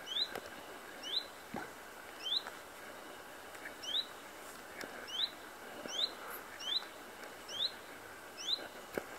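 A common chiffchaff sings a steady run of short, high, sweet notes, alternating slightly in pitch, one roughly every second, over soft outdoor hiss.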